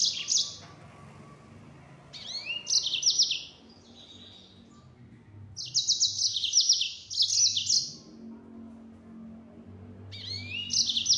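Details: Yellow-fronted canary with 'nembak' song in bursts: high, fast trilled phrases separated by pauses of one to two seconds, each burst loud and buzzy.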